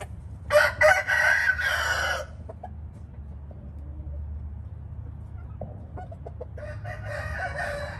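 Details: Crowing of a white-eared red junglefowl: a long, rough, multi-part crow opening the recording, a lull with a few faint clucks, then another crow beginning near the end.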